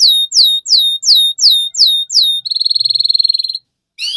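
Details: Canary youngster singing for a training recording, giving a series of swooping down-slurred whistles, then a fast buzzy trill, a brief pause, and a new phrase starting.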